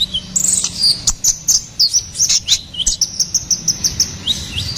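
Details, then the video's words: Energetic gacoran song of a ruby-cheeked sunbird (konin kolibri ninja), used to tutor and lure cage birds: quick sharp high twitters mixed with brief downslurred whistles in a steady, fast run of notes. "SUARA GACORAN KONIN KOLIBRI NINJA"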